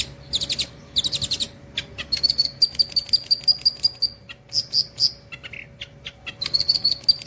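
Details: Long-tailed shrike singing, imitating the cililin: bursts of harsh broadband chirps, then a quick run of evenly spaced high thin notes, a pause, more scratchy chirps and a short final string of high notes.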